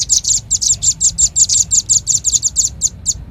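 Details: Velvet-fronted nuthatch lure call: loud, evenly spaced double-edged high chips, about five per second, slowing to a few spaced notes at the close.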